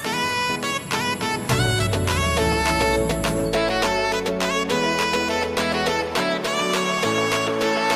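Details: Upbeat instrumental music with steady beats and layered melody plays throughout, with no animal calls heard.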